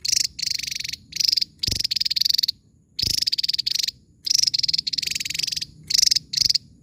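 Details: Javan tesia in full, vigorous song, sharp very high buzzy bursts of rapid notes, each under a second, repeated with brief pauses; two soft thumps are heard.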